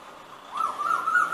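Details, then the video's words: An Asian koel gives a single clear, whistled note that swoops upward and then holds a steady, slightly wavering tone. No other sounds stand out. "KOEL-kooo-koooooo CALL - குயில் பாட்டு"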